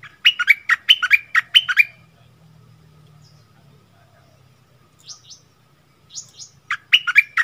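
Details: A wild bulbul (merbah) answers a captive decoy bulbul, fighting fiercely: bursts of rich, bubbly chirping phrases in quick succession, then a pause, with faint thin high notes and a low hum; 27 March 2021.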